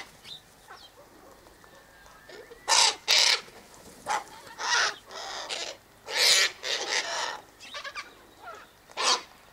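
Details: At an eastern gate, Sulphur-crested cockatoos (Cacatua galerita) eat scattered sunflower seeds, wheat and birdseed mix, uttering a run of raucous, rasping squawks, many overlapping, with brief gaps and softer calls between the loud bursts.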